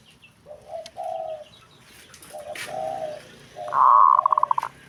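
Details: Softer, lower hollow coos come first. Then a loud, rapid zebra dove phrase: a sustained note that breaks into quick, evenly spaced stuttering beats. Other zebra doves respond right away. Background noise and a sharp click are audible.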